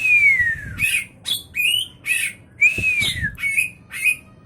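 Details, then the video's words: Caged white-rumped shama with championship prospects singing: long clear whistles sliding downward, broken by sharp buzzy chirps and short rising notes in quick succession, with faint low background rumble. "Burung kacer prospek, bakal juara"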